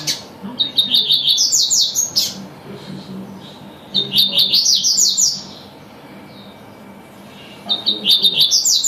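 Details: Double-collared seedeater singing in a style called "tuitui manda chuva": two bright phrases of rapid repeated high chirps climbing in pitch, each lasting about two seconds, with a quiet pause between and faint low room noise underneath.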